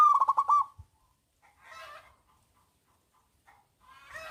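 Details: Local zebra dove with a powerful voice, used to coax silent doves into singing; it opens with a loud pulsed cooing trill, followed by soft hoarse notes and long pauses.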